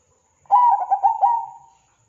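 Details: Zebra dove song used as a lure to provoke other zebra doves to sing: one soft cooing phrase of a few quick stuttering notes ending in a longer drawn-out coo, lasting just over a second, on a quiet background.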